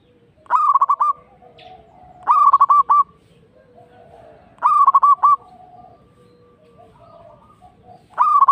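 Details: Local zebra dove lure song meant to make other zebra doves reply: four short phrases of fast, clipped cooing notes, one roughly every two seconds, over faint soft cooing.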